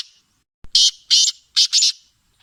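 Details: Black francolin (kala teetar) singing: after a sharp click, four loud, harsh, buzzy notes grate out within about a second and a half, the last two pressed close together, with a thin ringing tone underneath.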